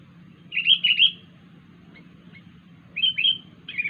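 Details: Strange call of a wild sooty-headed bulbul: two quick phrases of three bright, downslurred chirps about two and a half seconds apart, with faint single ticks between them and a low background hum.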